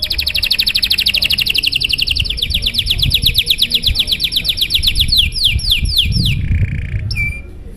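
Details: Canary singing a long, showy song to prompt other canaries to sing: a fast, even trill that slows into separate falling whistles, followed by a brief buzzy roll and a sharp rising whistle.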